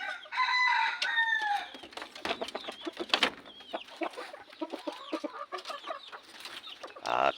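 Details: Red junglefowl (manok labuyo) kept by their owners. One drawn-out crow of just over a second opens the recording, followed by a busy run of short clucks, clicks and scratchy noises, with a loud burst at the very end.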